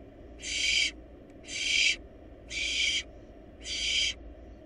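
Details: Barn owl nestlings, wild, in their nest box while devouring a large rabbit, give four rasping hisses, each about half a second long, spaced evenly about a second apart.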